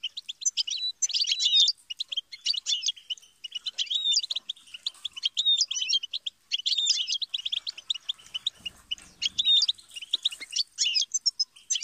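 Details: Goldfinch song used to teach songbirds, a long, unbroken run of bright twittering chirps and liquid trills in repeated bursts, with a faint low rumble near the end.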